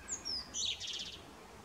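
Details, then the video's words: Male common blackbird's evening song ending: very high, squeaky twittered notes, thin descending slurs followed by a rapid buzzy trill, with faint outdoor background. "The Blackbird evening serenades the Moon - Solsorten synger sin aften serenade for månen."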